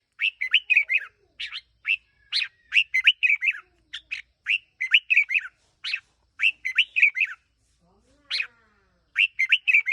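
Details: Red-whiskered bulbul kept as a decoy bird, one year old, singing bursts of short bright whistled phrases, rapid chirpy notes grouped in clusters with brief pauses, repeated steadily over ten seconds in a quiet setting.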